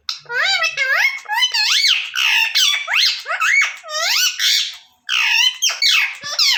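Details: Angry pet green parrot, red-beaked, kept indoors, squawking and chattering almost nonstop: dense runs of harsh, rising-then-falling harmonic syllables with one short gap before the final bursts.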